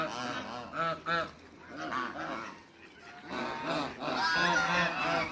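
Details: Four Pekin ducks, domestic farm birds, calling: loud, nasal, harmonic quacks in short bursts. A pair of quacks near the first second is followed by a quieter gap, then a dense run of overlapping honking calls.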